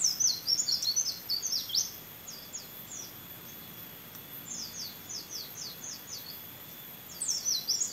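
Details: Trained competition white-eye giving canary-imitating song: quick bursts of high sliding whistles and chirps, a run at the start, another mid-way, and a final flourish, separated by quiet gaps with a steady hum.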